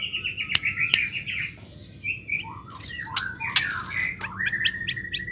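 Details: Female white-rumped shama calling, used to get silent or stressed males singing again: trilled whistles, short rising notes and chirps over a low background hum, with a few sharp clicks.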